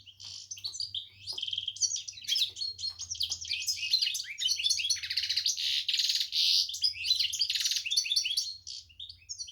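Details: Loud, unbroken song from a goldfinch and canary hybrid: rapid high twitters building into harsh, buzzy trills and sweeping notes.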